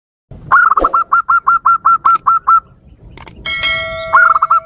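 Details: Zebra dove lure call meant to provoke wild doves: about ten short, evenly spaced cooing notes in a steady run, then a brief metallic ringing tone before a few more quick coos.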